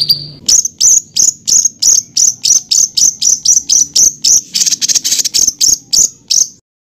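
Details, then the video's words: Songbird master recording offering rough rolling material for contest birds to copy: sharp high chips repeated roughly three times per second in a steady series, some harsher and noisier toward the end, then silence. "INI DIA BURUNG MASTERAN KASARAN NGEROLL"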